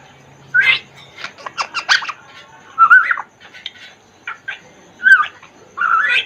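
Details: Congo African grey parrot in a cage giving mixed whistles, squawks and chattering chirps, scattered bursts about every second with short rising whistled notes.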